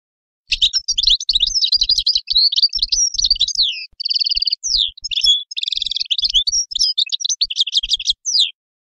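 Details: Extended European goldfinch song of about eight seconds: rapid tinkling twitters mixed with buzzy, nasal trills and repeated chirps, delivered almost without a break.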